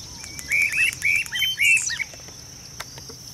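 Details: Streamer-tailed Tyrants, a pair, in marshy fish-farm wetland at Goiânia, Goiás, Brazil, 26 December 2017: a quick run of four or five sharp, high chirps over about a second and a half, over a steady insect hiss.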